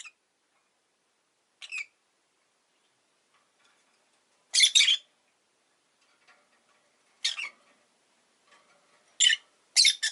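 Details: Rosy-faced lovebird kept indoors as a pet, giving sparse, shrill squawking chirps, one soft note then louder harsh bursts spaced several seconds apart.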